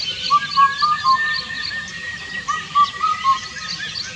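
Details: Indian cuckoo (Cuculus micropterus) repeating its four-note whistled phrase twice, the mellow notes spaced about a quarter second apart, with faint chirping from other birds behind.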